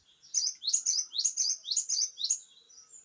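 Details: Lively Java sparrow delivering a brisk series of clear, slurred chirps, each note swooping up then down, about six in two seconds, ending in a thin trailing whistle.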